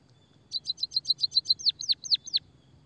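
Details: Singing munia (pipit/emprit) used as a lure and therapy for birds: about eight rapid high ticking notes running straight into four louder, sweeping, descending chirps, with a quiet background.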